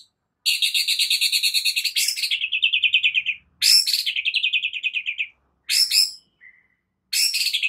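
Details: White-rumped shama morning training song, used to spur other shamas into singing: long rapid trilled phrases at high pitch, each trill of fast repeated notes lasting one to two seconds, separated by short pauses, with sharp chips between.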